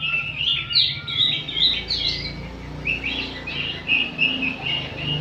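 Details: Oriental magpie-robins singing together in the afternoon as training material to make kept birds spread their tails; varied warbling whistles, then steadier repeated notes, over a soft low background hum.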